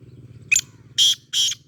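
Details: Black francolin call from Sindh, three short harsh bursts, the last two stronger and evenly spaced, over a low steady hum.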